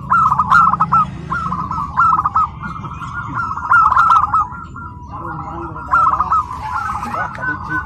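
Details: A tame, locally wild-sourced zebra dove (perkutut) sings at a training contest in Karawang after adapting to the crowd, giving soft mid-pitched cooing phrases of quick staccato notes every couple of seconds over a low rumble.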